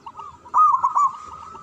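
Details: Local zebra dove with a strong voice, singing from a high perch: a brief loud burst of three rolling coos, with faint cooing from other doves behind.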